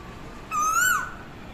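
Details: Asian koel perched on a boundary wall, giving a single loud whistled note that rises gently over half a second and then drops at the end, with strong overtones above a quiet background.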